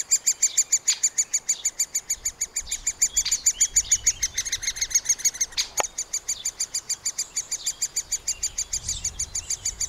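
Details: Continuous high, pulsing chatter from middle spotted woodpecker young being fed at their nest hole, about three notes a second for ten seconds, with a few sharp knocks; recorded on a Panasonic FZ 2000 camera.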